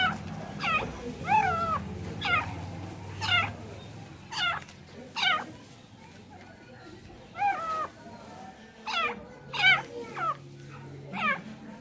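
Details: Female francolin kept tame, calling in irregular bursts of curling harmonic notes, some paired, with low rumbling noise beneath.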